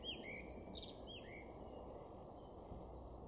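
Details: Garden in Weener, East Frisia, in Germany's far northwest, May 2022. A male blackbird gives a couple of mellow slurred whistles with a sharp, high twittered flourish between them, then falls quiet amid a steady hiss.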